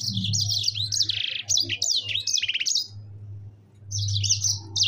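Yellow-fronted canary singing a fast, high, varied warble of chirps, slurred notes and quick trills, with a short pause before it resumes. A low hum runs underneath.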